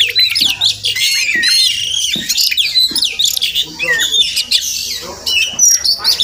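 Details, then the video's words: Wild magpie-robins that visit a village home every morning, possibly nesting nearby, give loud, harsh squawks and chatter mixed with sharp rising and falling whistles in rapid overlapping bursts that sound like several birds. "Crazy Sounds of Village Magpie Birds"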